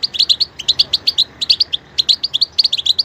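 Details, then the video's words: Lively goldfinch song, a quick stream of high chirping notes, about two per second in loose clusters, sweet and twittering against faint background hiss. "#stieglitz_vogel #goldfinch_song #chardonnerert_chant"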